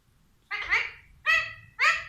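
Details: Alexandrine parakeet talking inside its cage, three loud, harsh, harmonic utterances in quick succession, the first longer and slurred, the next two short and clipped, roughly half a second apart.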